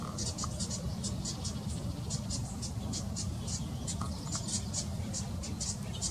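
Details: A fledgling house wren, left apart from its mother and siblings as they feed, gives rapid, scratchy, high-pitched begging notes in uneven bursts several times a second, over a low rumble of wind or distant traffic.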